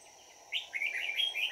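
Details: Red-whiskered bulbul serving as a trap decoy on 22 December 2018, luring wild birds; a single quick, rolling warbled phrase of rising and falling notes over light background hiss.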